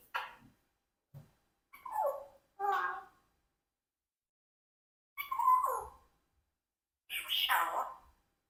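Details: Pet Congo African grey parrot, a four-year-old adopted bird, talking indoors. Short, speech-like phrases such as "hello" and "how are you" come in about six separate bursts with silent gaps between them.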